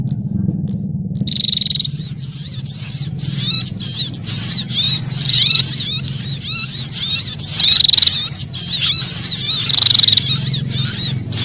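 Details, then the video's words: Threatened brown-throated sunbird alarm in combination with prenjak, a lure sound: after a quiet start, steady high squeaky chattering bursts roughly twice a second, with a few flat buzzy trills and a soft low hum. "Suara Burung Sogok Ontong Kombinasi Prenjak Atas Ketakutan"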